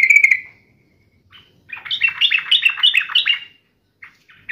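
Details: Sooty-headed bulbul in fighting mode: a loud opening call, a pause, then a quick run of bright, rising and falling chattering notes, with faint short calls at the end.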